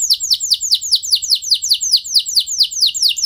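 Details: Canary singing to encourage other canaries to roll: a clear series of high, downslurred whistled notes repeated evenly several times a second, with no other sounds.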